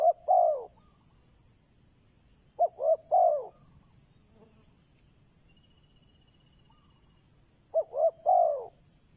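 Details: Spotted dove kept as a decoy to attract wild doves, cooing in repeated three-note phrases, two short notes and a long falling one, spaced a few seconds apart; a faint thin insect-like trill in between.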